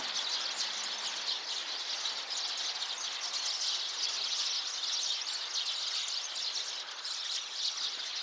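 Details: Chorus of Eurasian tree sparrows on 26 November 2024, many birds giving rapid, shrill overlapping chirps that merge into an unbroken bright chatter over light environmental noise.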